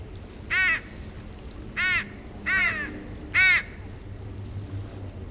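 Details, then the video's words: Young crow, a fledgling at the beach, begging non-stop to be fed instead of feeding herself: four harsh, nasal, drawn-out caws spaced about a second apart, over a quiet low background. "baby sister Lizzie begging & crying"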